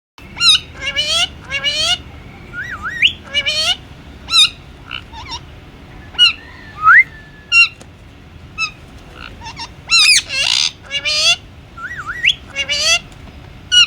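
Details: Pet Indian ringneck parrot said to be talking: loud bursts of harsh squawks mixed with rising and wavering whistles and sliding notes, spaced irregularly about every second with short pauses, over a soft low room hum.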